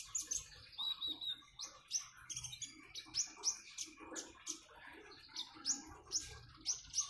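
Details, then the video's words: Common iora song over splashing water, sharp upslurred whistles recurring about every half second between fast ticking chirps. "Kicauan burung "KONIN""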